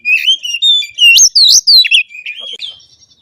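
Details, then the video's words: Kacer (oriental magpie-robin) song used to trigger singing in other kacer: steady whistles leading into loud sweeping upslurred notes repeated rapidly, then softer descending twitters fading out. "pancingan kacer pagi siang sore malam pun pasti nyaut kalo dengar suara kacer ini"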